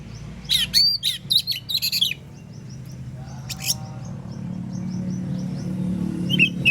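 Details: Morning song of an Oriental magpie-robin that sets other magpie-robins answering; a rapid run of loud, piercing whistled notes in the first two seconds, then a brief burst and quieter chirps over a low steady hum.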